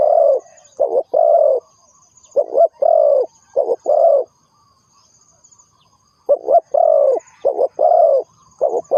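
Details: Low, mellow cooing from a spotted dove used as a trapping lure. Quick short coos lead into longer sustained notes in irregular bursts, with a pause of about two seconds mid-sequence before the phrases resume.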